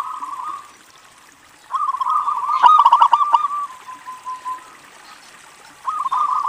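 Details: Local zebra dove singing, a recording intended to lure other doves into calling: a short cooing phrase, a pause, then a loud run of quick, chopped notes fading into softer coos before a final phrase.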